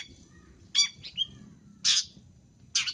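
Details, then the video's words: Long-tailed shrike lure sound: a mixed burst of harsh squawk and short whistled notes, then two loud grating rasps about a second apart, over low background rumble. "Suara untuk pikat Pentet"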